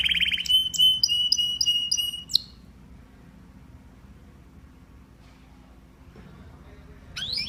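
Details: Canary singing: a fast trill of high repeated notes, then a steady chain of looping whistled phrases for about two seconds, a long quiet stretch with low room hum, and a brief high burst at the end.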